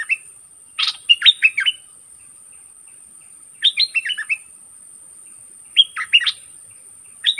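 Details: Red-whiskered bulbul decoy bird singing to lure wild birds, which came in aggressively to fight: short bursts of bright, bubbly, warbled whistles, three phrases separated by quiet gaps of about two seconds.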